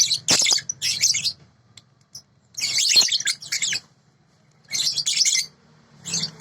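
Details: Sooty-headed bulbul singing, from a tutoring recording: three distinct bursts of shrill, jumbled twitters with clear silent pauses between them.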